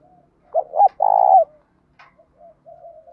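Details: Male and female spotted doves cooing as decoys to draw in wild birds: a faint coo, then two short hooted notes and a longer loud throaty coo, followed by soft trailing coos and a brief click.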